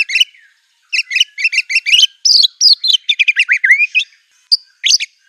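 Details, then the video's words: Fiercely singing white-rumped shama, its material said to include canary, cililin, cungkok and lovebird phrases: a quick series of doubled high chirps, a pause, then tumbling slurred whistles dropping in pitch, ending in scattered bright notes. "MURAI BIRD SINGING NGAMUK NEMBAK MATERI SANGAR | KENARI CILILIN CUNGKOK LB KAPAS TEMBAK"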